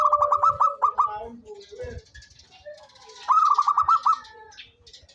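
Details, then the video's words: Local zebra dove, noted for calling eagerly, gives two stuttering coo phrases of rapid clipped notes, with low thumping noises and faint chirps in the background. "SUARA perkutut LOKAL gacor cocok buat pancingan rajin bunyi"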